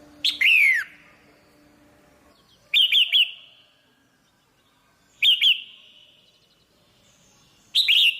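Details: Female red-whiskered bulbul excites the male with bursts of sharp chirps every two to three seconds. The first burst ends in a long falling whistle, with a faint low hum behind it.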